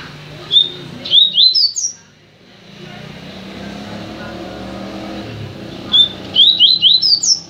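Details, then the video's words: Double-collared seedeater kept in a new cage sings two short phrases a few seconds apart, each a plain whistle followed by rising slurred notes, with traffic rumble between them. "Papa capim El Tank na nova gaiola"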